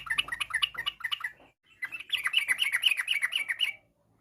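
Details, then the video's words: Yellow-vented bulbul in full song, in the long-trill and garuda styles, said to make other bulbuls answer at once: quick bubbly chattering notes, a short pause, then a denser run of bright warbled notes about two per second. "trucuk gacor, bikin trucuk lain nyaut seketika.! trucuk ropel, trucuk nggaruda, kicau trucuk fariasi"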